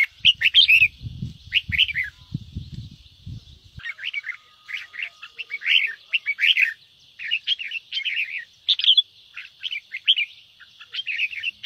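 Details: Chào mào, the red-whiskered bulbul, giving ché-style song to provoke other bulbuls to sing: a steady stream of chirpy warbled phrases, with low thumping noise in the first few seconds.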